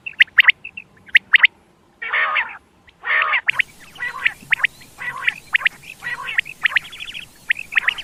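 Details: Quail calling, a sound used to attract quail for hunting: crisp repeated whistled notes broken by buzzy rasping bursts, with background hiss rising partway through.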